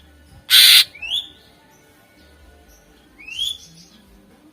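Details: Greater green leafbird in vigorous song, recorded as a lure for contest birds: a loud rasping burst followed by a bright upward-slurred whistle, then a second rising whistle a few seconds later.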